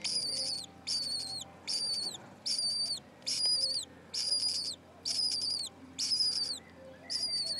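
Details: Four lesser kestrel chicks about six days old, in a nest on a school principal's roof beside an unhatched egg, give high, harsh, wheezy begging screeches in short bursts, roughly one every second, over a faint low hum.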